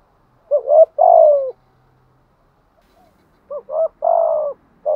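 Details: Spotted dove, thúc gù cooing with a giọng thổ voice: two phrases of a brief upward hoot followed by a longer mellow descending coo, with a pause of about two seconds between them.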